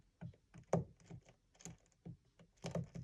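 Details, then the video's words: A racing pigeon in a small indoor room makes dull, irregular tapping and thudding knocks with its feet and beak, about a dozen in three seconds. "Racing pigeon makes noises with its feet and beak"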